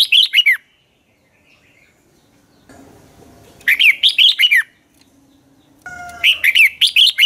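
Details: Red-whiskered bulbul, caged and used as a dueling lure bird, gives three separate bursts of sharp, rapid warbling notes with down-slurred endings, split by quiet gaps with low background noise.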